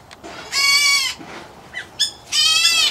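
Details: White-headed Black Bulbul (Hypsipetes leucocephalus) chick, an aviary bird, gives two harsh, nasal half-second calls about two seconds apart, with faint short chirps between them.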